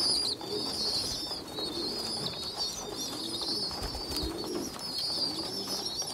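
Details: Young pigeons, a small poorly developed youngster feeding bigger, well developed youngsters: thin, high, drawn-out whistled squeals in long wavering strings, with a low murmuring hum beneath.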